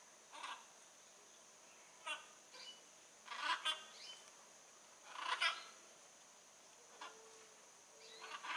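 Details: Blue-and-yellow macaw in the wild giving moderately distant, harsh, crackling squawks spaced irregularly, two clusters of grating notes prominent, backed by a steady high insect-like tone.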